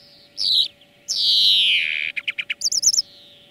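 European greenfinch song: a brief high note, a long nasal wheeze sliding downward, then quick dry trills. A faint steady hum runs underneath.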